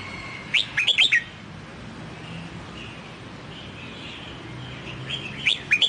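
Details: Newly bought wild-caught red-whiskered bulbul being trained in the Sông Kon song style gives two short bright whistled phrases of four or five quick rising and falling notes, about five seconds apart, with faint soft chirps between.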